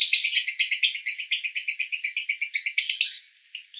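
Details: Konslet song of a male lovebird from Cibinong, Bogor: an unbroken run of rapid, evenly pulsed high chirps that stops abruptly after three seconds, followed by a few faint twitters.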